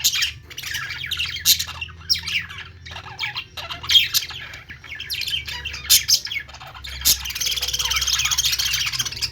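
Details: Budgerigars chirping: dense overlapping high warbles, squeaks and short rising notes from several birds, with a steady low hum underneath and a louder burst of chatter near the end.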